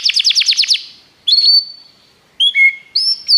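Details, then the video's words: Belgian canary in a training song: a short fast trill of falling notes, then separate long pure whistles on steady pitches with pauses between them. "treinamento canário belga cantando"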